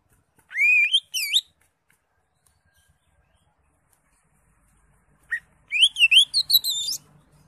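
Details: Greater green leafbird singing with crest raised, varied full song for tutoring: two brief rising, squeaky whistles, a long silence, then a fast jumble of high, twisting whistled notes.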